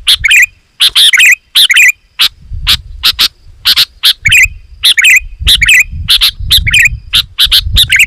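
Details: Loud, dense song of a sooty-headed bulbul, meant to draw wild bulbuls near and provoke them: quick clusters of scratchy chirps and short warbled notes, almost continuous, over intermittent low background rumble.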